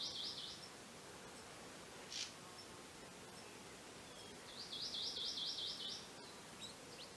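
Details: One-year-old female Akikiki, a rare wild bird, foraging for her two young that fledged that morning: high rapid zigzag trills, a short one at the start and a longer run later, with a soft chip and steady background hiss.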